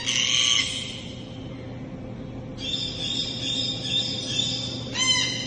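A Red-tailed Black Cockatoo gives a short harsh call, then a long rolling, grating screech and a brief final note, over a steady low hum.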